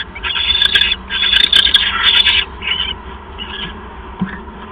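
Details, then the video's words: During a January bonding visit, owls give several harsh raspy screeches that run together, then fade into softer, shorter hissing notes, with a faint click near the end. "Hans Visits - Bondings!"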